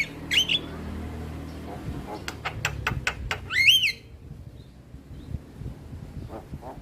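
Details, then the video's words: Male Javan myna: a short whistled flourish, a quick row of dry clicking notes, then a loud rising-and-falling whistled slur, followed by near quiet with distant faint sounds. "Suara Alam Jalak Kebo Jantan Bikin Burung Jalak Yang Dengar Langsung Buka Suara"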